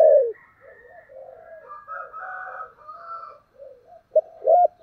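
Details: Calling and urging coos of a spotted dove, thổ voice style. Mostly soft, low murmured cooing, ending in a brief loud phrase of a clipped note and an arched coo.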